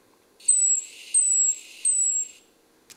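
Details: Great tit (Parus major) aerial alarm call warning of a bird of prey such as a sparrowhawk: three very high, thin, slightly descending whistles, each about a third of a second; such fine high tones are hard for the hawk to hear and locate.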